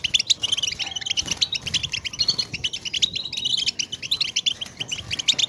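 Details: European goldfinch chatter used to stimulate silent goldfinches to sing: dense, fast twittering of short bright notes, overlapping as if several birds call together, with little background noise.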